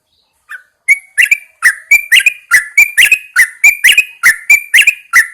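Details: Caged yellow-vented bulbul hung outdoors in the early morning to encourage singing; a lively run of short, loud, bubbling whistled phrases, about a dozen notes following one another rapidly and steadily.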